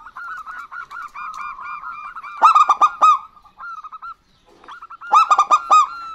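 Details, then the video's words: Local zebra doves, a female and a male, answering each other in vigorous song: loud bursts of rapid staccato coos roughly every two and a half seconds, linked by softer level cooing notes, with a short silent gap midway. "Perkutut Lokal Gacor Betina Dan Jantan Bersahutan"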